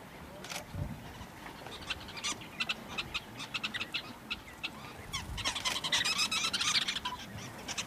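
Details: Sociable weavers chatter at their condo-style communal colony nest. Quick, dry, high chirps tumble over each other several times a second, with a few low thumps and rumbles underneath.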